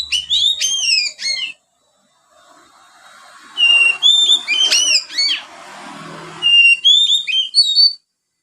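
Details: Juvenile Oriental magpie-robin in ngriwik practice with sparrow filler: a fast chattering run of sharp downslurred chirps, a brief quiet gap with soft hiss, then mixed whistles and chatters, closing with clear rising whistles.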